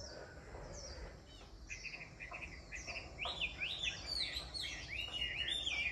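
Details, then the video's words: Chinese hwamei, described as a mountain-forest bird, singing: after a quieter start, loud, rich warbled phrases of swooping, slurred whistles come in quick succession and grow stronger toward the end, over a steady low background hum. "Giọng ca Hoạ mi núi rừng"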